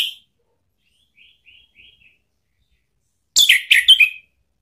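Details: Orange-headed thrush lure song to make a pet bird respond: faint soft chirps, then a loud burst of scratchy, descending whistled phrases.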